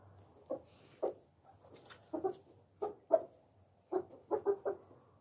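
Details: Tame pet Japanese quail on a farm, being patted and hand-fed, give soft, low clucking notes: about ten short irregular burps, some in quick pairs and triplets, with faint rustling; most background noise is Japanese bantams.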